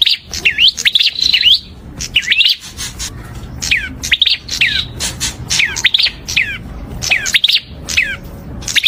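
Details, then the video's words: Prinia chirping steadily: repeated groups of sharp, downward-sweeping notes with a few buzzy trills, nearly continuous with brief breaks. Light low background murmur. "Kicau Merdu Burung Perenjak"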